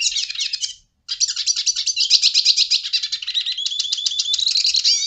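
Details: Portuguese European goldfinch delivering fast, tinkling song. Dense high chirps and twittered trills roughly three notes a second break off after under a second, pause briefly, then resume in a long unbroken phrase.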